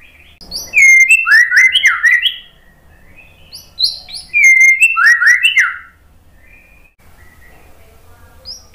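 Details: Murai batu (white-rumped shama) song played to coax a silent, stressed bird: two similar bursts of loud, tumbling whistled slurs, each lasting about two seconds, with quiet between.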